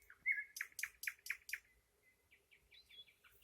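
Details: A nightingale gives a whistled note, then a string of five loud, evenly spaced, sharp descending chirps, followed by softer, twittering, rising and falling notes.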